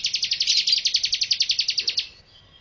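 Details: Bar-winged prinia singing for use as a master song when training birds: a quick two-second burst of about sixteen high, clipped chirps in steady rhythm, ending abruptly in quiet.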